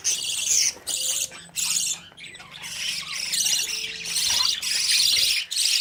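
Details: Budgerigar youngsters begging as they run after the adults for food; harsh hissing squawk bursts start and stop roughly every half second to second, several birds together, with a low hum and a faint thin tone.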